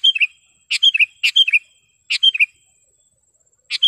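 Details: Sooty-headed bulbul singing sharply and clearly, for training caged birds and luring wild birds: repeated short phrases of three or four bright, slurred chirps, about five phrases in quick succession.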